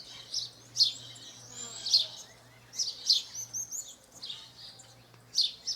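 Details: House sparrow in nature, Brazil, chirping in loose clusters: pairs of bright chirps, then a pause of over a second before a final loud chirp, over a faint low hum.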